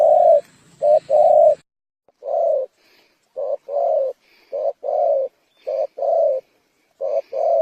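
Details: Spotted dove calling with low, soft coos in short-long pairs, repeated at a fairly steady pace after a brief pause; faint high twittering behind.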